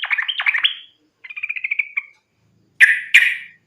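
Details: Sooty-headed bulbul in fighting song, used as a lure to prompt other bulbuls to sing; bubbly chattering phrases of rapid notes, a trilled run, then two loud harsh bursts, in clean silence.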